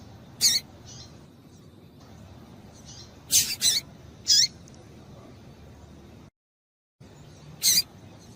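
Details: Female double-collared seedeater piping call, used to excite males: short, high, sharp chirps, one single, then a quick cluster of three, with a softer faint note in between, over a quiet hiss.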